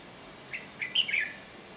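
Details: Red-whiskered bulbul in Chiang Mai, Thailand: a short burst of chirpy, slightly warbled notes around the middle, the last two louder and slurred, over quiet background hiss.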